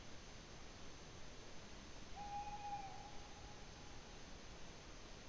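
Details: In Latvia on 8 May 2017, a tawny owl gives one even, low hooting note followed by a faint wavering continuation lasting about a second, heard through steady background noise.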